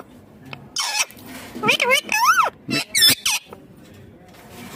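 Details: A pet ringneck green parrot calling: a string of loud, sharp squawks and arching, wavering shrieks, some sliding up then down, separated by short pauses.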